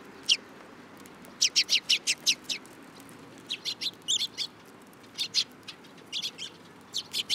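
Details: At Tenmangu shrine on 8 July 2022, sparrows perching on a person's hand call in clusters of bright, high tweets, four to six notes at a time, against a quiet background.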